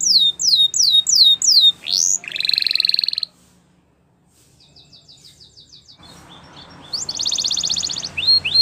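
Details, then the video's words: Belgian canary song used to tutor young canaries: descending whistled slurs, a buzzy trill, a pause of near silence, then a soft rapid rattle and another loud buzzy trill. "Canary Teacher For Your Preschool Canary!! Belgian Canary Singing"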